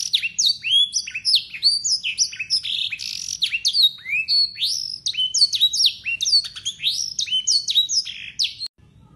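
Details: Clear, long-running song of a local Yorkshire canary full of blackthroat phrases: descending whistles and rapid twitters in steady flow, ending abruptly.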